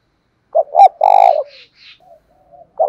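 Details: Decoy spotted dove used to lure wild doves, calling in the thúc đấu rút bổi manner with a mixed thổ voice: two short hooting notes, then one long rolling coo, with softer distant cooing trailing after.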